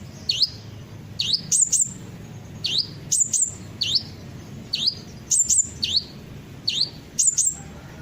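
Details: Hummingbird sound used as a lure to make other birds sing along: sharp high chirps that sweep down then rise, given in quick pairs and triplets about every second, over a low background hum.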